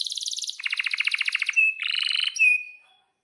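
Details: A singing canary delivers a very fast mechanical trill in two pitch bands, then a bright whistle, another buzzy rattle, and a final thin whistle that trails off into silence. The song serves as a lure for other canaries.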